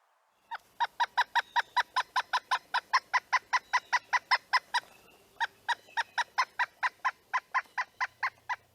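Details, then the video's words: A Pileated Woodpecker gives loud, ringing, slightly uneven wuk notes, about four a second, in two long runs split by a brief pause; calls, audible up to half a mile, are more resonant and less even-toned than a northern flicker's. "However, pileated woodpecker calls are more resonant and not as even-toned as the flickers."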